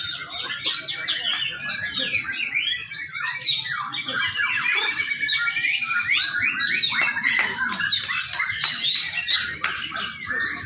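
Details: Young White-rumped shama in full song, meant as a lure for training: a long, dense run of fast warbled notes, clear whistles and chattering trills, varying constantly in pitch without pauses.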